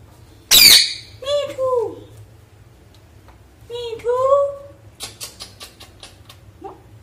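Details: A pet parrot talking at home with its owner: one harsh, sudden squawk, then two drawn-out, bending speech-like phrases a few seconds apart, followed by a quick run of sharp clicks and one short final syllable in a quiet room.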